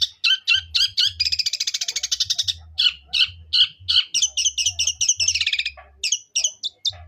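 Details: Long-tailed shrike in fighting mood, singing in the sparrow-voice style called suara gereja: rapid chirpy high notes, a long buzzy trill, then quick twittering phrases, with a faint low hum underneath.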